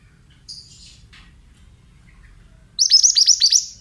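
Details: Male pied bushchat (mantenan), mountain type, heard as a lure: faint scattered high notes, then a loud rapid string of six or seven hooked, descending chirps near the end.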